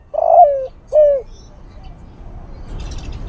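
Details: Male spotted dove calling a female, as a bird lure: two clear, low, throaty coos about half a second apart, each sliding downward, then quiet background hiss.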